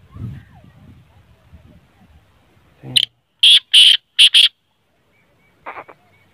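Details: Kala teetar or black francolin calling after a murmur of low background sounds: a sudden burst of four loud, rasping, grating notes within about one and a half seconds, then a softer, shorter rasp a second later.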